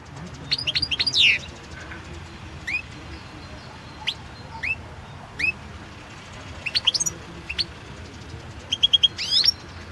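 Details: [3, 'European goldfinch competition song, recorded for the 2016 World Championship in Goldfinch Song. It opens with a rapid twittering trill, then gives single high upslurred chirps every second or so, ending in quick clusters of tinkling notes.']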